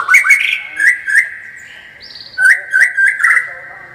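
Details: White-rumped shama singing a lively, loud song: sharp whistled notes near the middle range, a short warbled phrase, then a run of rapid repeated chirps, all clear and close.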